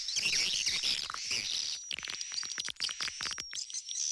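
Edible-nest swiftlet lure calls: rapid dry clicks and chattering twitters, bunched in quick bursts, with a steady thin high whine running underneath.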